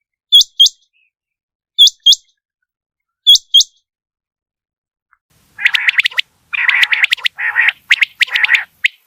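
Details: Quail giving clean paired whistled notes that rise and hook sharply, repeated about every one and a half seconds. These are followed by a burst of harsh, rapid chattering calls.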